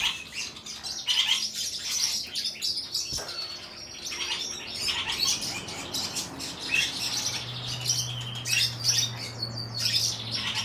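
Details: A pair of silver-colour diamond firetails (Stagonopleura guttata) gives thin, high chirps and twitters in quick irregular bursts, with wing flutters and a low steady hum; 5 November 2022.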